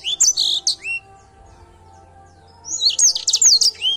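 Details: Edel Sanger canary singing actively: a short phrase of high chirps and slurred whistles, about two seconds of near silence with a low hum, then a fast, bright trill-like run of chirps.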